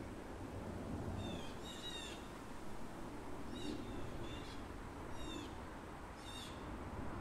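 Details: A bald Blue jay in a neighbourhood gives repeated calls. Paired and single bright harmonic notes, each slightly slurred, come in bursts every second or so against constant low-pitched ambient rumble.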